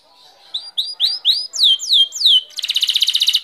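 A canary sings a quick run of high, rising whistled notes, then slurred falling notes, ending in a rapid, buzzy trill.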